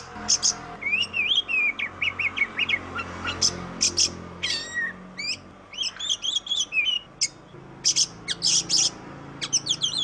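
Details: Oriental magpie-robin, called kacer in Indonesia, a songbird of plantations, forest, rice fields and grassland, pouring out varied song: wavering whistles, rapid chattering trills and scratchy high notes in dense, lively phrases.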